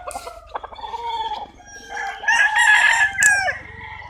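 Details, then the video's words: Roosters crow in overlapping drawn-out phrases, rising in loudness midway, over a background of clucking chickens and a low hum. "Chicken sounds, Roosters Crowing sound effects"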